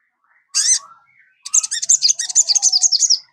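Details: Sogon singing, meant to prompt a kept bird to start its song: a harsh opening note, a pause, then a fast run of very high, chattering notes lasting nearly two seconds.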